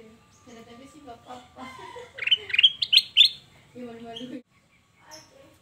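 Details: Golden bulbul (kutilang emas) song used as a lure to provoke other birds of its kind to answer: a burst of bright, rapid chirped notes in the middle, framed by lower, harmonic warbling phrases at the start and near the end.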